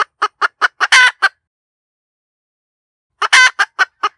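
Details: Hen cackle in two bursts separated by a long silence: each burst is a few rapid clucks leading into a drawn-out, rasping cry, then trailing clucks.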